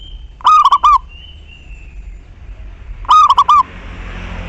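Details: Energetic local zebra dove used to set off other doves' cooing: two phrases of four rapid, rolling notes a few seconds apart, a thin whistle between them and a rising hiss at the end.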